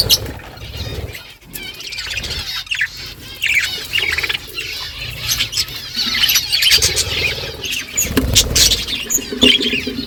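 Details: Budgies in a flock at morning, calling to each other: continuous overlapping warbles, squawks and twittering chirps, growing busier toward the end, with low rumbling noise underneath.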